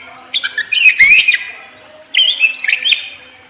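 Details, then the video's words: Parakeet twittering in two short bursts of chirpy, warbled notes separated by about a second of near silence, with one sharp scratchy note in the first burst. "ISIAN PARKIT FULL MEWAH"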